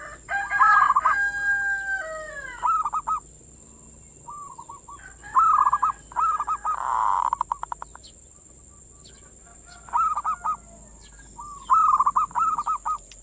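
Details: Manggung song of a zebra dove (perkutut), played to bait local perkutut and stir their mating urge. Long drawn tonal notes open, followed by repeated bursts of quick rolling coos spaced a few seconds apart, with a steady background hiss.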